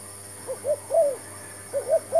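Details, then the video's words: Spotted dove, a new decoy bird set out with a new trap, coos twice in quick succession, each phrase two short hollow notes leading into a longer slurred coo, with a constant high-pitched hum behind. "MEMIKAT TERKUKUR"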